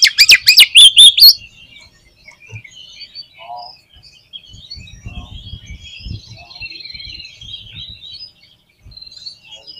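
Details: Oriental magpie-robin in full song as a lure for other magpie-robins: an opening burst of loud, rapid piercing whistles, then soft, thin chirping phrases and scattered low rustling thumps.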